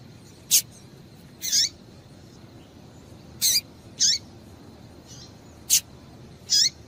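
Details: A female double-collared seedeater calls, a recording used to stimulate males to sing. She gives six thin, high chips, some short and sharp, some longer and buzzier, one to two seconds apart, against a quiet hiss.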